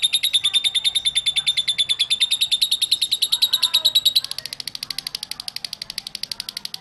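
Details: Lovebird singing, used to make lovebirds sing: a rapid, even trill of high squeaky pulses for four seconds, then a thinner, faster, slightly higher trill continuing to the end.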